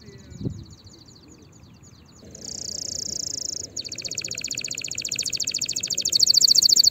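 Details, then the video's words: Canary song intended for training young birds early for next season: after a quiet start with a soft thump, a harsh buzzy trill, then a long, accelerating, increasingly loud rattling trill. "تغريد كناري لتسميع وتجهيز الفراخ مبكرا لموسم القادم"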